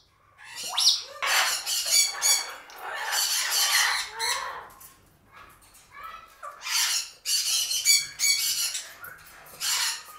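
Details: A male Congo African grey parrot, venting hormonal anger and aggression at a cereal box, gives harsh, raspy squawks and growling screeches in uneven bursts about every second, with brief quiet gaps between them.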